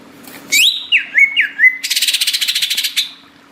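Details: Greater green leafbird singing loudly and persistently amid tropical forest sounds: a high slurred whistle, three dipping whistled notes, then a fast buzzy rattling burst of about a dozen pulses, with a faint low steady hum.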